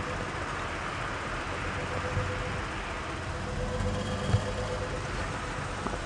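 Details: Steady low vehicle engine rumble with a faint constant hum, and no animal calls heard during an evening safari drive.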